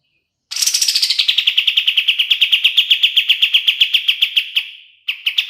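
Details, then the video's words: Master song of a kapas tembak bulbul for training songbirds: after brief quiet, a bright trill begins high, settles lower and races on evenly for seconds, with a fresh burst after a pause. "SUARA KAPAS TEMBAK SUPER JERNIH UNTUK MASTERAN BURUNG JUARA"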